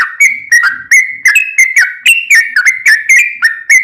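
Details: Sooty-headed bulbul, energetic and fighting-style, used for training caged birds: rapid series of short whistled notes, each starting with a sharp click and sliding slightly, about four per second.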